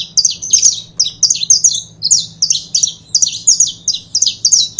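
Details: Pair of saffron finches, known locally as canário da terra, singing rapid bursts of high, sharp chirps and slurred whistled notes in quick clusters, nearly continuous over the whole stretch, over a faint low steady hum.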